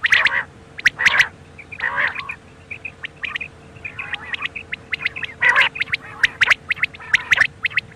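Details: Quail calling at night: short bursts of sharp chirps repeated at uneven intervals over a steady low electrical hum.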